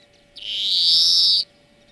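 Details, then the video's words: One drawn-out, nasal wheeze about a second long, rising slightly and buzzy throughout, from a greenfinch song lesson meant for training birds; a faint steady hum sits beneath. "Florya Ötüm Dersi"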